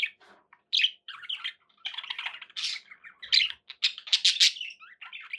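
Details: Pet budgerigars chattering indoors: a dense run of short, bright chirps, squawks and warbled notes, clustered in quick bursts with brief pauses between them, and no other sounds.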